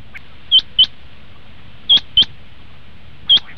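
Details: Common quail call for hunting lure use: pairs of very high, pure, clipped notes repeated about every one and a half seconds over a quiet low hum.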